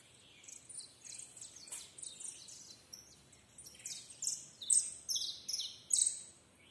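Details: Canary with a continuous high song of rolling trills and buzzy chips, growing louder through the second half into strong, evenly repeated bright phrases.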